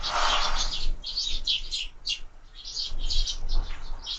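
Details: Short bright chirps from sparrows at feeders fixed to a window, coming in clusters with brief pauses, plus a soft broad rustle at the start.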